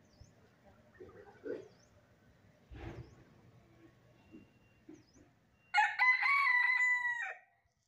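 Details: Country hen during feeding: soft clucks, rustles and faint chirps for several seconds, then a sudden loud harsh squawk lasting about one and a half seconds.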